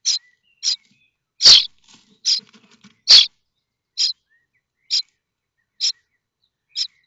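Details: Young common starlings in a nest at Théding, France, waiting for parents to return with food: quiet, thin, high raspy calls spaced about a second apart, with two louder harsh bursts and faint soft chatter.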